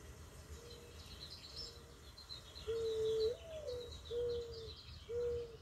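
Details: Mourning dove song: two quiet coos, then a louder drawn-out note that swoops upward and falls, followed by three steady mellow coos. Faint chirps of other birds sound in the background.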